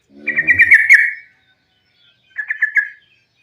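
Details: Sooty-headed bulbul in fighting song, a lure meant to prompt other bulbuls to sing: a bubbly run of quick warbled notes, then a shorter burst of three notes after a pause, with a faint low rumble beneath the first phrase.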